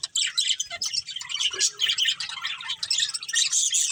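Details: Dense high chirping and warbling from a breeding pair of budgerigars, rapid scratchy notes running continuously with a few clearer squeaks.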